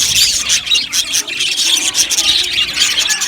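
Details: Australian budgies in a colony aviary keep up a busy, high chirping chatter, many birds twittering and squeaking over one another throughout.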